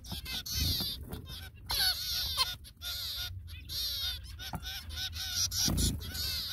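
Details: Feeding time for zebra finch young with both parents attending; nasal, rasping calls come in uneven bursts, interspersed with brief silences and a few low bumps.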